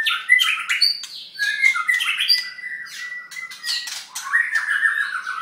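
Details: White-rumped shama (Copsychus malabaricus) singing while halfway through its moult, a rich, varied stream of clear whistles mixed with harsh, scratchy notes, with quick changes in pitch and barely a pause.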